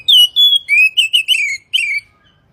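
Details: Morning and evening training song of an Oriental magpie-robin: a long sweet whistle followed by a rapid string of bright slurred notes, each dropping slightly in pitch, in clean quiet surroundings.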